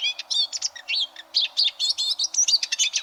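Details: Eurasian siskin song, used as tutor audio for competition canaries: rapid chattering series of short twittering and slurred whistled notes, high-pitched and tightly packed, with brief gaps between bursts.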